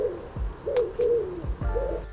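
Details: Wood pigeon cooing in a UK garden, the familiar morning "alarm clock" song: soft, hollow, low-pitched notes in a steady rhythmic phrase, with a few faint low thumps in the background.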